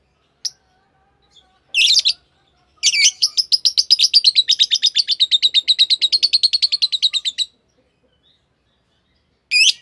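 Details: Green Fischer's lovebirds, a pair, deliver a long, rapid chattering trill of about forty evenly pulsed high notes lasting several seconds, after a few harsh opening chirps.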